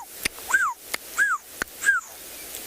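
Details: Black-backed puffback on a South African private game reserve during a morning safari drive in July, giving three sharp, whistled down-slurred notes about every 0.65 seconds, each preceded by a loud click, over faint background noise.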